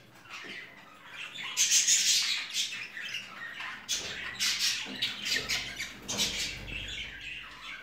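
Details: Japanese and Jumbo crested budgerigars in a breeder's aviary cages, a flock chattering with loud rasping squawks and quick chirps overlapping, rising in bursts.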